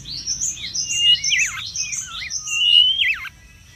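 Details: Mangrove whistler singing in the wild, used for luring and tutoring: a series of high arching whistled slurs, with two sharp downward-and-back sweeps and a bright level whistle, ending in quiet.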